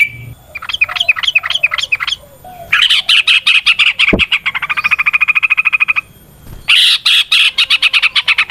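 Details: Yellow-vented bulbul sound meant to stir rival birds to fight: a few looping whistled notes, then long rattling runs of fast, clipped notes, with one low thud midway.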